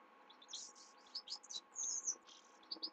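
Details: A Himalayan goldfinch sings at night: dense, high twittering with slurred chirps and one drawn-out buzzy, wheezy note midway, over a low background hum.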